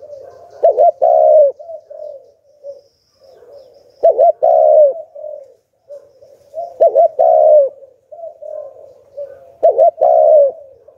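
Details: Decoy spotted dove in the Hạp Bổi calling style, luring wild doves with four loud, deep coo phrases about every three seconds, each a quick stuttered pair and a longer throaty note, trailed by soft murmuring coos.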